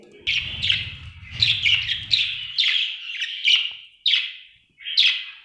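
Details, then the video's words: Happy budgie chirping loudly in a lively series of clipped, squeaky, scratchy notes, several per second at first, then slower separate chirps, over low background rumble early on. "Happy budgie chirping sound"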